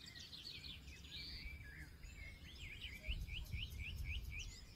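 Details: Forest birds sing. Mixed warbling comes first, then one bird delivers a fast series of looping whistled notes, about four per second, over a low steady hum.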